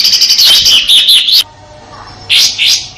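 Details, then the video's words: Sooty-headed bulbul from Indonesia, song used for training white-rumped shamas: fast, dense harsh chattering run of rough notes, a brief pause, then two loud rasping bursts. "Suara tembakan kasar kapas tembak untuk masteran murai batu dan burung kicau lainya"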